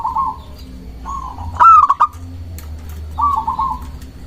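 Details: Singing local zebra dove, used as a lure to rouse rival doves: soft trilled coos, one loud burst of clipped staccato notes, then more gentle rolling coos, with low rumbling background noise.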